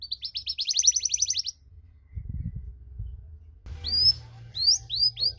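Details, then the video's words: Canary with long cengkok song to provoke other canaries: a fast high trill for one and a half seconds, a low thump, then spaced rising sweeping whistles. "KENARI CENGKOK DURASI PANJANG!! AUTO MANCING EMOSI KENARI LAIN"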